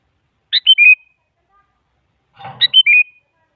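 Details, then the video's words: Female sooty-headed bulbul calling a male, played to draw an answer from a silent bulbul; two crisp whistled phrases of descending notes ending in a steady whistle, the second preceded by a soft rustle. "Suara Burung Kutilang Selalu Dicari Buat Pancingan Jadikan Kutilang Diam Ikut Nyaut"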